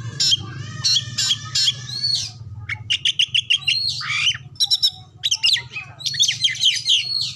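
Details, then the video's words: Varied Oriental magpie-robin song played as a lure to make other birds sing, said to be packed with copied calls such as those of canary and leafbird. It mixes fast stacked trills, sweeping whistles and rattling bursts, with a faint low hum. "pancingan Kacer terbaru 2022 ampuh langsung nyaut gacor buka ekor"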